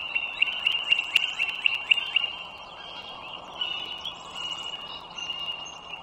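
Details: Nesting wild bald eagles by the Dulles Greenway in northern Virginia, morning of 21 March 2023. A rapid series of about eight high, clipped piping notes, then a softer, drawn-out squealing chatter.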